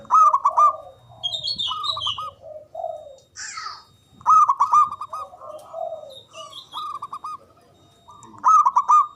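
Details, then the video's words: Zebra dove of a local Javanese strain, loud and long-winded, singing as a lure to set quiet doves calling. Repeated bursts of quick, hooked, bubbling coos every few seconds, with softer low murmurs and a few high chirps between them. "Pancingan Ampuh Pendongkrak Perkutut Bisu🔇 Malas Bunyi🔊 Bikin Rame"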